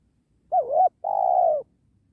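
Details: Spotted dove, penguku style, near a sacred tree where wild doves are being trapped: a short curving note rising at its end, then a steady, vibrating coo lasting over half a second, clean background.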